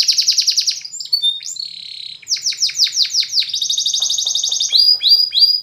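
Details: Spanish Timbrado canary song for canary training: a rapid high trill, a short whistled phrase, a series of loud downslurred notes, then a fast even roll and repeated bright double notes.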